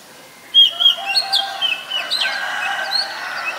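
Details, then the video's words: Oriental magpie-robin, a very common resident of Ubon Ratchathani, Thailand, recorded 7 January 2021: a burst of thin high whistles and short chips, with a low steady harmonic hum underneath. "นกกางเขนบ้าน (Oriental Magpie Robin)"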